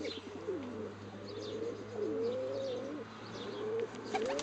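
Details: Friendly tame hen pigeon kept in an aviary, responding to being cooed and bowed at. She gives a run of low, rolling coos with rising, wavering notes, and faint high chirps sound in the background.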